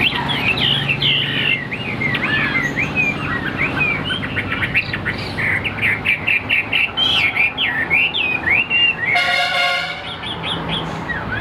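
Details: Caged Chinese hwamei of the tam hoàng (three-yellow) type singing in the afternoon, said not yet at full strength. It pours out rapid, varied, looping whistled phrases over a steady loud background hum, and a vehicle horn sounds briefly near the end.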